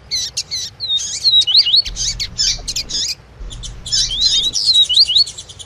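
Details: Energetic 'tui tui' song of a double-collared seedeater with female calls heard as a stimulus; dense high buzzy chirps broken by zigzag whistled slurs, over a low background rumble.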